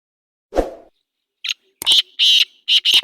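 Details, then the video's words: Black francolin, known locally as kala teetar, calling: after a dull thump, a burst of harsh, grating notes, five loud rasping bursts packed into about one and a half seconds, the later ones longer. "کالا تیتر کی آواز"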